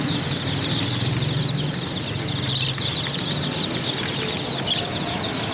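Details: Numerous chicken chicks cheeping at once, a continuous shrill wash of high peeps with a low rumble in the background.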